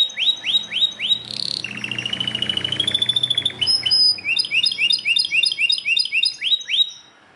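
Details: Belgian canary in loud song: a few rising whistled sweeps, a long rapid rattling trill, then repeated clusters of bright chirps and final upslurred notes.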